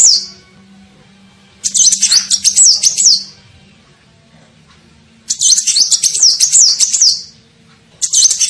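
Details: Lure call of a sunbird for attracting birds: long bursts of thin, very high rapid zigzag notes lasting about two seconds each, separated by quiet gaps, with a soft low hum.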